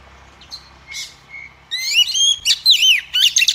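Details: Female Oriental magpie-robin song used to excite males to sing. A few soft whistles open it, then a sudden loud sequence of sweeping, slurred whistles and rapid trills, repeated several times in quick succession.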